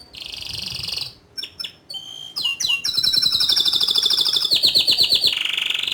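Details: Canary in full song, rolling and firing its notes: a buzzy high trill, scattered sharp chips and sweeping whistles, then a long fast rattling trill that steps down in pitch, with faint low background noise.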